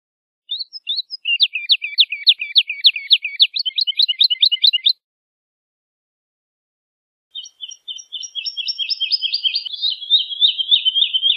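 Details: Woodlark (Lullula arborea) singing two phrases: the first a four-second run of quick, repeated high notes, and after a gap a second stream of slurred notes that slowly drops in pitch and grows louder.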